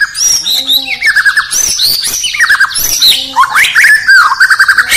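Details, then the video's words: White-rumped shama (murai batu) from Indonesia singing loudly in the morning, with dense rich phrases of high whistles, quick rising and falling slurs and rattling chirps that run almost without pause. "Bird Chirping In The Morning || Beautiful Murai Batu Chirping"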